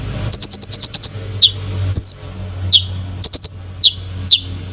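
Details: Konin delivering a fast burst of about eight clicking high notes, then a scattering of sharp slurred chirps; its song is meant to provoke other birds. A faint low hum runs throughout.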